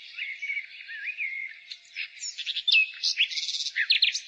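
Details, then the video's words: Nightingale song in spring: soft rising and falling whistles at first, then increasingly loud, varied phrases of sharp chirps and quick repeated notes, against continuous high background birdsong. "Nightingale singing Spring relaxation The singing of the nightingale"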